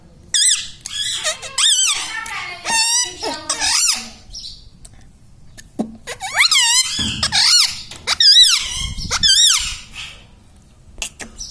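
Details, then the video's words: Pet Indian ringneck parakeet chatters in repeated swooping, harmonic word-like syllables across several phrases, with a noisy pause in the middle; it is said to speak mummy, papa and radhe radhe. "indian ringneck parrot talking video"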